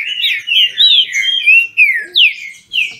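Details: Green-winged Saltator (trinca-ferro) kept by a Brazilian breeder, competing in song: a fast run of rich whistled notes, each sliding down, delivered in bursts about every half second.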